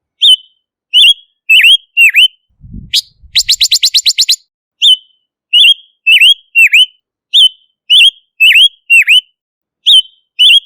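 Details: Silver-eared mesia whistling V-shaped notes in short phrases, interrupted by a dull knock and a rapid, regular string of sharp chips, then steady whistled phrases again.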